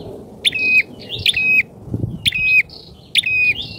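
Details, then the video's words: Lure bird bar-winged prinia, described as very vocal with a loud voice that keeps wild prinias from approaching; harsh clicking notes ending in a flat buzz, about three bursts in four seconds, faint low noise beneath. "PIKAT PRENJAK!!..PRENJAK LIAR KALAH PAMOR DGN PIKATANYA...GACOR"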